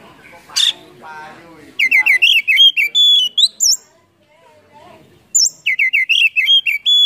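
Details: Fired-up kacer (Oriental magpie-robin) with its tail fanned, delivering a lure song rich in mimicry: a short harsh burst, a pause, then rapid strings of whistled notes, some sliding up high.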